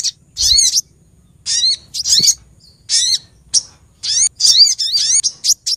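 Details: Female olive-backed sunbird calling to the male, lure recording for trapping small birds, Lumajang, Indonesia: bursts of sharp, high, sweeping chirps in quick clusters, separated by short silent gaps.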